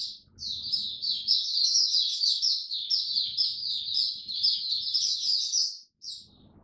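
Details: A caged oriental white-eye, its diet adjusted for cold, rainy weather, sings an unbroken five-second stream of rapid, high, jingling twitters and then stops abruptly.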